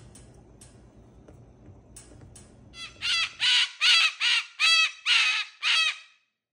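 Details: Pet cockatoo, loud while greeting grandma indoors: after a few seconds of quiet background speech, seven harsh, raucous screeches burst out in a rapid, fairly regular series, each about half a second long.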